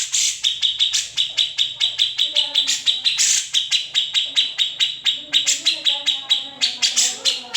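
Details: Grey-cheeked bulbul, unedited recording used as master song for training magpie-robins and leafbirds, in a rapid series of sharp high chirps repeated several times a second, with faint low human voices underneath.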